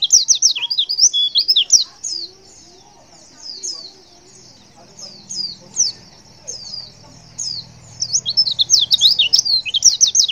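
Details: Female white-eye call to prompt males to respond: clusters of rapid, high, twittering chirps at the start and end, with sparse single notes and a soft low murmur in the middle.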